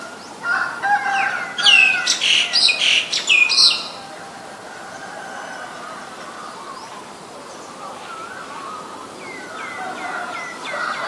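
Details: Harsh, loud, rapidly repeated notes from a female Asian koel, roughly eight sharp calls packed into two seconds, then quieter scattered chirps and a faint steady tonal background for the rest.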